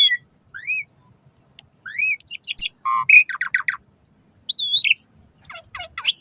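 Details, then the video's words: Asian pied starling song for training caged birds, morning or evening: rising looped whistles, rapid rattling series of stacked notes, a harsh squeal and scattered chirps separated by short pauses. "Suara Kicau Jalak Suren Terapi Pancingan Burung Jalak Saat Pagi Maupun Sore Agar Cepat Gacor Isian"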